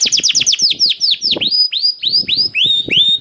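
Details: Canary song used as a lure to prompt other canaries to sing, in a special song pattern: rapid series of high downslurred whistled notes, then slower, longer sweeping whistles repeated about twice a second, with faint low clicks.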